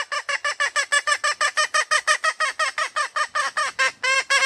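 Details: Red junglefowl hen calling for a mate. Rapid, hoarse clucks come about five per second, some twenty in a row, ending in a longer, fuller note.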